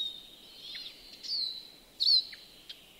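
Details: European greenfinch singing in a yard in Joroinen, Finland: a high, thin, buzzy drawn-out tone with a few short chirps and twitters over it, against soft background hiss.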